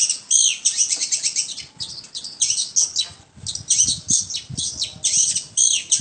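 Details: Long-tailed shrike singing steadily with high and low notes, melodious: varied bursts of rapid chirps and slurred whistles separated by brief gaps, with faint low rumbling in the background.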